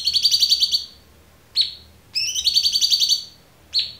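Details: Clear-voiced cucak cungkok recorded as a tutor for murai batu, cendet, kacer and konin: a rapid buzzy pulsed rattle, a lone sharp falling chip, a second rattle, then another falling chip.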